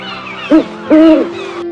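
An owl gives two low hollow hoots, a short one then a longer held one, over steady background music.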